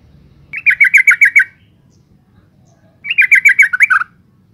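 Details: Female yellow-vented bulbul call used to draw males into song: two clear runs of about seven rapid, even bubbling notes, the second closing on lower notes, over quiet background.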